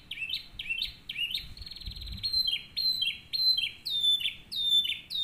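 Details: Canary song meant as a model for training other canaries: rapid repeated high phrases, rolling trills and bright whistled notes that rise and fall, phrases following about every half second, with faint low background rumble.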